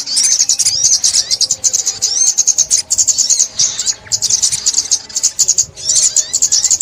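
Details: Sunbird song used for trapping, 2021: dense, very high twittering with rapid chirps and thin sweeping whistles in nearly continuous bursts, broken by brief pauses.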